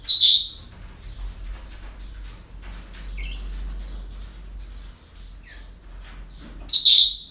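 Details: Parrots in a breeding centre on an ordinary day: loud, grating high screeches at the start and end, with softer squeaky chirps and clicks scattered in between over low hum.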